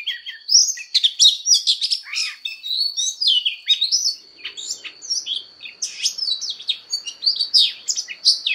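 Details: Fighting song of an Oriental magpie-robin, sung as voice training: loud, varied whistled phrases and quick chirps, briefly softer mid-way, then rising again into bright rapid notes over a faint constant high tone.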